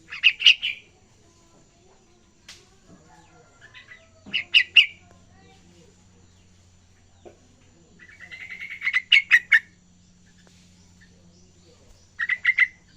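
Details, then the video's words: Juvenile yellow-vented bulbul practising its song: short bursts of bright, bubbly chattering notes recur every few seconds, one longer rising and warbling run near the end, with a faint steady low hum and a few soft clicks between phrases. "anak trucukan belajar ngacor"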